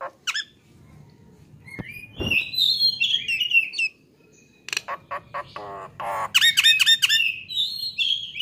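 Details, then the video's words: Nias hill myna song on a training recording for songbirds: scattered sharp clicks, wavering high whistles, then a short pause before harsh buzzy notes and a quick burst of ringing repeated notes. "MASTERAN AMPUH || Jalak Nias GACOOOR"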